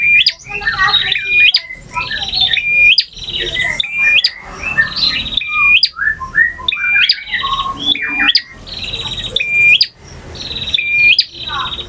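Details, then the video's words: Male bar-winged prinia in long, full-variation song, styles ngotot, ngalun, variasi and kristal: dense series of hooked whistles, buzzy trills and scattered downslurred chirps, phrases tumbling roughly every 1.3 seconds with little background noise. "KICAU PRENJAK JANTAN FULL VARIASI DURASI PANJANG || NGOTOT,NGALUN,VARIASI,KRISTAL"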